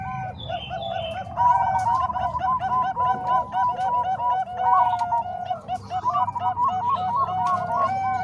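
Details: Zebra doves in Bangkok and Cemani Kolbuntet song styles, intended as a training model for other doves: dense overlapping trilled coos building after a quiet start, continuing steadily over a faint hum.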